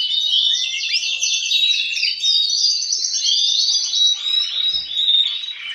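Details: Caged canary males singing, one answered by others, a noisy session to stimulate breeding. Fast rattling trills and high clear held whistles flow without break, with a brief low knock near the end.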